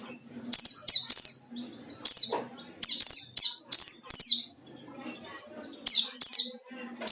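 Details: White-eye singing ngalas-style as a lure for rivals; repeated clusters of piercing, falling chirps, two or three at a time, with brief gaps and a faint low hum underneath.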